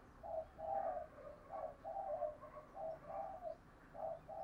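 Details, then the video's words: A dove coos in the morning, heard faint and distant through a steady hiss. Soft, low, hollow coos repeat in loose groups for about four seconds. The recording is from a decoy-calling session meant to draw wild spotted doves. "Chim Cu Mồi Gáy Gọi Vào Buổi Sáng Kích Bổi Gáy Theo Rất Hiệu Quả"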